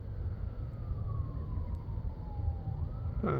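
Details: Low rumbling traffic noise with a faint siren-like tone slowly falling in pitch, then a brief sharp knock at the end; no animal sounds.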